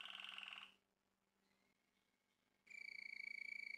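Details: Male Malinois Waterslager canary song. A rich, fast-rolling, bubbling tour comes first, then near silence with faint thin whistles, then a loud, even, rapid trill on one steady high pitch.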